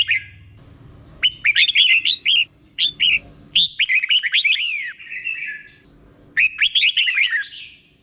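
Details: Red-whiskered bulbul in a cage, Thailand, delivering the slow, clear doubled-style song used to train other birds: crisp bursts of quick whistled notes with falling slurs, a longer run in the middle, and a final short phrase.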